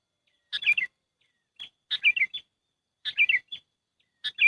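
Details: Sooty-headed bulbul lure call for trapping, heard up close. Bubbly three- to four-note phrases fall slightly in pitch, each followed by a short single note, repeating every 1.2 seconds.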